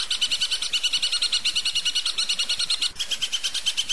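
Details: Long-tailed shrike tutor song for training other shrikes: a steady rapid series of doubled high whistled notes, about eight per second, shifting slightly in pitch midway.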